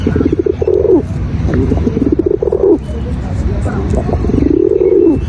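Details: White male pigeon cooing, three drawn-out, rising-then-falling coos over a constant low rumble of background noise.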